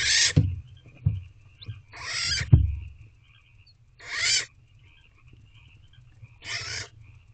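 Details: Barn owl owlet in a wild nest box, calling to its mother at 9:17 pm on 26 April 2023 to demand food: four harsh, hissing screech bursts, each about half a second long, spaced about two seconds apart, with low thumps and shuffling between them.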